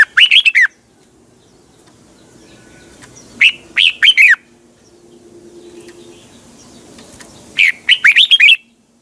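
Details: Morning song of a red-whiskered bulbul, used to train caged birds, in a double twisted-voice style: three short clusters of quick, bubbling whistled notes spaced several seconds apart over quiet low background noise.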